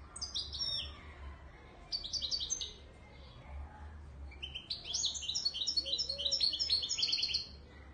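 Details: Goldfinch song of the Widani Marrakchi type from Morocco: brief twittering phrases, a pause, then a long cascading sequence of bright, rapid high notes rising and falling, over a low rumbling hum.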